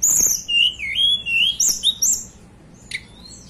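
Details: Indonesian blue flycatcher from the Banten and West Java mountains singing a loud, wavering series of sweet, high whistles that swoop up and down, then falls quiet apart from one sharp chip.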